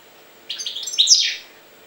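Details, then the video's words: European goldfinch, Jagodina, delivering a brief liquid twitter of linked chirps that grows louder toward a bright, ringing peak and then trails off; quiet room tone behind. "Stiglic-Jagodina 5"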